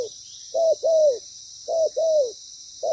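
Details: Decoy spotted dove calling loudly while set out for trapping: two and a half paired coos, a short note then a drawn-out, falling one, over a continuous high hiss.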